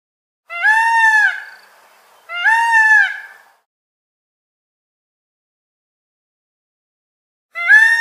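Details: Indian peafowl (peacock) giving loud, nasal, wailing calls: two about two seconds apart, then a third after a long silence, with no other sounds.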